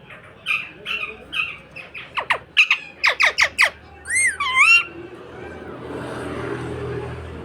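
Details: A parrot indoors chirps in a fast run of short, sharp notes, then gives two loud wavering, looping whistled calls. Afterward a steady hiss of background noise fills the room.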